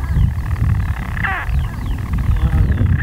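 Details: European storm petrels calling from hidden nest burrows in daytime on 5 June 2013, Skokholm, Pembrokeshire, Wales; a rough churring with harmonic bands and a sharp sweeping hiccup note, over heavy low wind rumble.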